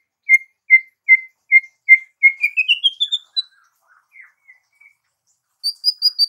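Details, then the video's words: White-rumped shama giving a series of clear, evenly spaced whistled notes, then a rising run of quickening chirps climbing in pitch, soft scattered notes, and a final burst of very high thin notes. "MURAI BATU GACOR"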